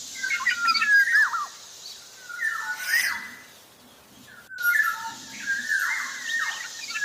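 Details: Javan black-naped oriole singing actively, producing warbled twisting notes and rich whistles that drop sharply, two bursts of phrases separated by a brief lull, with soft low background noise.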